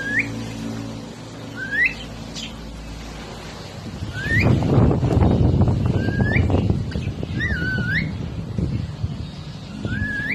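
A pet cockatiel gives short, clear rising whistles, repeated every second or two.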